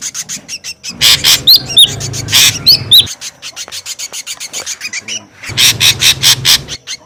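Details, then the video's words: Ashy drongo making noisy lure calls. Loud scraping bursts are mixed with high whistled slurs, then a softer rapid rasping series, and loud harsh notes return at the close. "SUARA PIKAT SRIGUNTING RIBUT | SUARA PIKAT SRIGUNTING ABU ABU"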